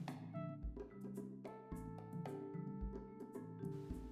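Only music is heard: mellow struck percussion like vibraphone or marimba over a steady low bass, with no animal voice.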